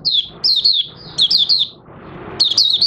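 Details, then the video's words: Caged Oriental white-eye, its new white feathers almost fully coloured, singing in August 2022: high thin twittering phrases of quick down-slurred notes in three bursts separated by short pauses. "Mata Puteh Raja Buka Sing"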